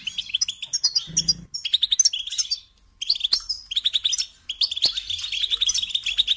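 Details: European goldfinch song for teaching songbirds: bursts of quick, high twittering and chirps separated by brief pauses, with a short low hum early on.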